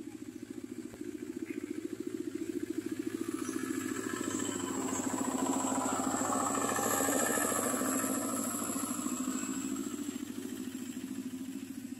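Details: A motorcycle engine drones and pulses as it passes, swelling in the middle and fading away, with no animal calls heard.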